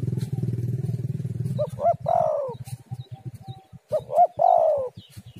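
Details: Spotted dove calling, recorded as a lure to make other doves call. A low rhythmic rumbling opens, then two full phrases about two seconds apart, each two short rising coos and a long falling crooo.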